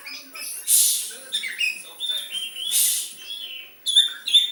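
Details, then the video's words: White-rumped shama imitating a sooty-headed bulbul, harsh hissing bursts alternating with short whistled slurs and quick chips, ending with bright rapid notes. "Kacer rasa kutilang"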